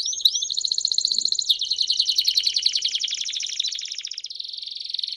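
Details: Several Belgian canaries singing in chorus: a looping whistle at the start, then dense rapid trills that fade slightly before a steady buzzy roll.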